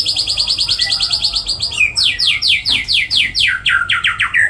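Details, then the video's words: White-rumped shama in full song with cililin, jenggot and kapas tembak fill: a steady stream of rapid, high, buzzy repeated notes, then a series of loud downward-sweeping whistles, repeated in quick succession. "MURAI MATERI MEWAH ISIAN CILILIN NYAMBUNG JENGGOT NYAMBUNG KAPAS TEMBAK"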